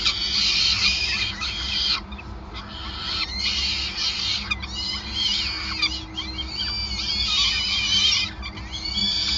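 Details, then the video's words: Peregrine falcon at a nest on the Gasunie building in Groningen, 5 May 2020, during a long feeding: harsh, rasping high calls in dense bursts broken by short pauses near two and four seconds, over a steady low hum. "Slechtvalk ~ Endless Feeding"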